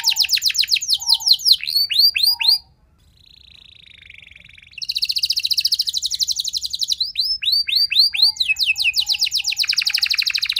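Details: Canary song meant to prompt listening canaries to reply and sing long phrases. Quick descending chirps break off into a low, soft buzzing trill. A bright, rapid rolling trill and bursts of sweeping notes follow.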